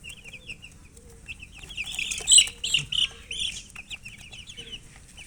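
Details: Thirsty coloured chicks peep for water, a busy flock of short, high, slightly falling chirps repeated nearly three times a second, swelling into a louder cluster midway before thinning out again.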